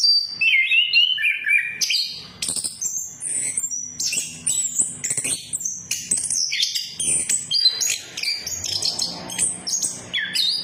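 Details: Orange-headed thrush song meant as a pancingan, stirring silent birds to sing: rich, restless sequence of rising and falling whistles, twittering runs and sharp high notes, delivered almost nonstop for ten seconds.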